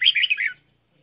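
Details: Decoy red-whiskered bulbul kept for trapping, delivering a rapid warbled phrase of bright, tumbling notes lasting about half a second, then quiet.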